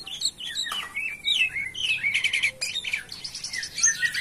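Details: Jalak kapas (myna) in full active song: quick varied whistles and chattering trills, with brief harsh buzzy bursts mixed among sliding notes.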